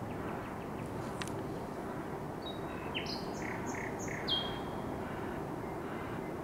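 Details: Common nightingale song, 16 May 2023: a rapid run of short descending whistled notes, then a long drawn-out whistle, with steady low background noise throughout.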